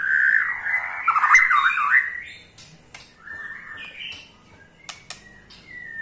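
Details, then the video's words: White-rumped shama ketrekan, meant to prompt other shamas to sing. A dense, harsh, chattering burst lasts about two seconds, followed by quieter scattered whistles and clicks. "KETREKAN SAKTI!! || MURAI BATU MANAPUN PASTI TIDA MAU DIAM IKUT GACOR"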